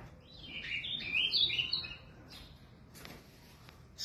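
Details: From São Paulo, Brazil, a caged Ultramarine Grosbeak (azulão) delivers a fluid warbled phrase of sweet slurred whistles rising and dipping, followed by quieter notes and faint clicks.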